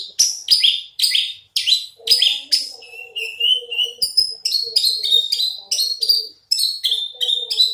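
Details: A caged, large-bodied Horsfield's bush lark with a raised crest sings a varied phrase: scratchy high chirps first, then clearer whistled notes that dip and step between pitches in a quick, continuous run.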